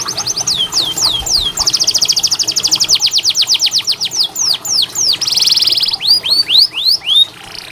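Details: Canary tutoring song to encourage lazy singers: quick high whistled downslurs running into a fast steady trill, a brief buzzy burst, then spaced looping whistles, all loud and clear.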